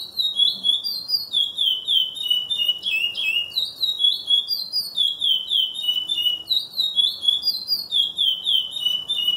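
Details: Captive Lined seedeater, bare-faced form from a breeder; loud continuous song of rapid slurred whistled notes, sweeping up and down, delivered in quick phrases with almost no background noise.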